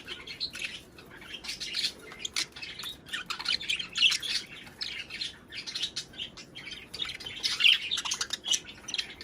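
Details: Budgerigar chatter played to stimulate breeding and egg laying: dense, busy warbling and squawky chirps, many overlapping bright notes in rapid bursts, with several birds seemingly calling together.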